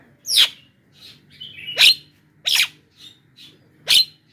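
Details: Javan myna lure call to attract wild mynas: four strong raspy screeches about one to one and a half seconds apart, some with a downward-sliding tail, softer whistled notes in between over a low background hum.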